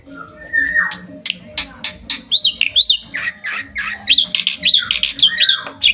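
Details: Bali myna held on its owner's hand in Bali, 2023: a low whistle, then clicks building into a busy stream of squawky chirps and high looping whistles.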